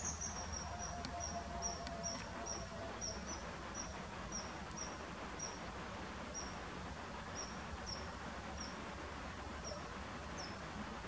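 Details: Common kingfisher (Alcedo atthis) by the Skawa river near Maków Podhalański in the Polish Beskids, recorded 2013–17. It gives thin, shrill, very high whistled notes about twice a second over a steady rush of river water.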